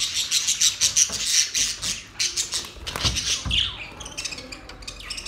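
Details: Pet budgerigars, happy and flying in their cage, give fast high chirps and chattering warbles in quick bursts, with scratchy squawks and a few clicks.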